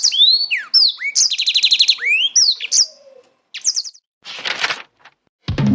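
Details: A Black-throated Canary (Crithagra atrogularis), a small African cage bird kept as a song tutor for canaries, sings a fast, varied run of high slurred whistles and buzzy trills, then breaks off; a brief rustle and low thump follow.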